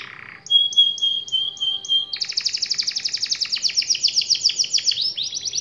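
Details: Canary singing to set off quiet canaries: a low rattle, a sustained high whistled tone, then a long rapid rolling trill of repeated notes.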